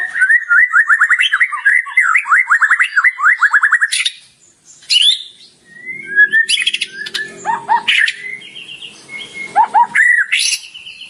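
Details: White-rumped shama singing a rich, varied song full of borrowed phrases: a fast run of sharp, descending chirps for four seconds, a pause, then scattered whistles, buzzy notes and high squeaky phrases.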